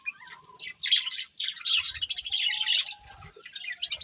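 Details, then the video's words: Colourful budgies at their food, chirping in quick high, buzzy bursts that build to a thick chattering chorus before thinning out, with faint low knocks. "Colourful Budgies Chirping Sounds"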